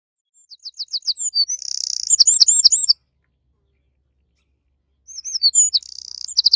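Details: Eurasian wren at the nest: a rapid series of high whistled notes runs into a dense buzzy trill with sharp chips, about two seconds long; after a pause of two seconds, a second similar burst of notes and trill begins.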